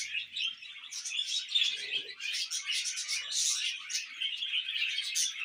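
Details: Baby budgie kept as a tame pet, spoon-fed, calling in steady high chatter of squeaky chirps and warbled tweets throughout, with little else heard.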